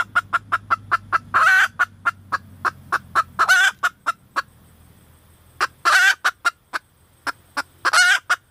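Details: Female red junglefowl repeatedly calling, with steady runs of short, clipped clucks punctuated by loud, rasping squawk bursts, with a faint low hum underneath.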